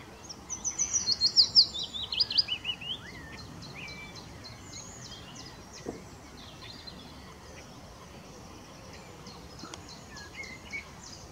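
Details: A mixed-singing willow warbler at RSPB Middleton Lakes on 25 June 2023 gives one bright, high phrase of quick notes tumbling downward over about two seconds; fainter chirps from other birds follow over steady background hiss.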